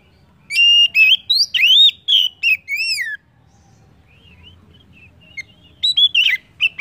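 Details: Oriental magpie-robin singing, a recording meant to stimulate other birds into song: a rapid run of bright whistles and down-slurred notes, a pause of faint, soft warbling, then loud whistled phrases return.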